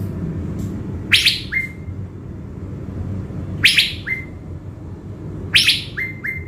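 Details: Blue-winged leafbird, a decoy bird from Binh Thuan, Vietnam, kept before heading to the forest: harsh scratchy bursts each followed by one or two flat whistled notes, repeated roughly every two seconds.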